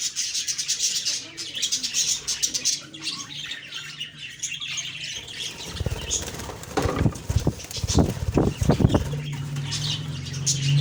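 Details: Budgies on an October 2, 2023 morning: high twittering chatter at first, then loud fluttering wingbeats and low thumps dominate the second half while chirps continue.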